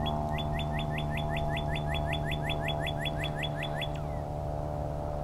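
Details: A Northern cardinal at South Cape May Meadows WMA repeats a quick series of about eighteen clear slurred whistles, roughly five a second, over a steady low engine hum.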